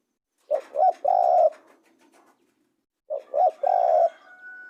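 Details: Spotted dove call, two matching phrases about two and a half seconds apart, each with two short hollow coos and a longer held coo, with faint background noise between them.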